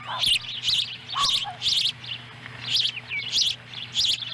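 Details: Nest of ospreys in Lolo, Montana, July 18, 2017, where a small fish brought by the female becomes a young bird's breakfast; piercing, squealing chirps repeated in quick bursts roughly twice a second, a low hum beneath.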